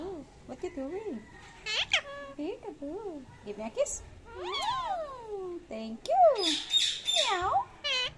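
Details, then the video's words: Pet Indian ringneck parakeet talking, saying "thank you": a run of tonal, speech-like phrases that bend up and down, some sliding downward, broken by short noisy squawk bursts and fragments of background music. "KIWI SAYS THANK YOU"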